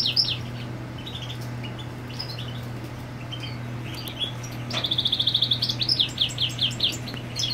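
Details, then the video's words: European goldfinch marking territory with the female on the nest: scattered high twitters, then a quick run of about a dozen repeated chirps near the end, over a constant low hum. "Jilguero Marcando Territorio con Hembra en el Nido"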